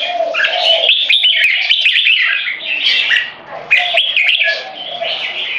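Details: Two competition jambuls (red-whiskered bulbuls), 3.5 and 7 years old, use butir singing to dominate a rival. Bright, rising and falling whistles in fast phrases sit over a low, steady warble, with a quieter dip midway before a loud sharp restart.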